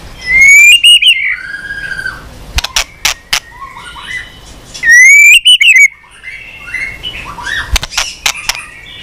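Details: Tail-flicking white-rumped shama on its perch in long continuous song: two loud rising whistled phrases ending in quick flourishes, separated by softer scattered notes and clicks.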